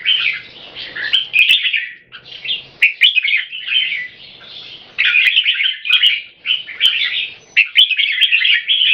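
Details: Two equally fierce Red-whiskered bulbuls sing against each other in controlled aggression, each trying to dominate by singing as often as possible (butir). Bursts of bright, chattering, warbled phrases come in quick succession, with brief pauses between them.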